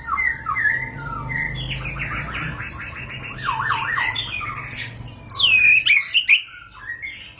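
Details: White-rumped shama, called murai batu, in its long rolling song (ngerol panjang): soft whistles, then a fast buzzy trill, and loud high whistled sweeps at the close, with a faint low hum behind.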